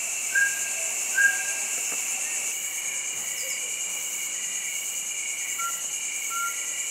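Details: Mountain scops owl at Lansdowne, Uttarakhand: short clear whistled notes, two early then two later pairs spaced about a second apart, over a loud continuous cricket chorus.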